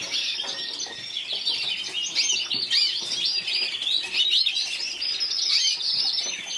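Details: Bright warbling from a yellow frosted lipochrome canary, individual runner-up at Burgos 2014, with varied fast trills and slurred whistles rising in intensity midway, then continuing steadily.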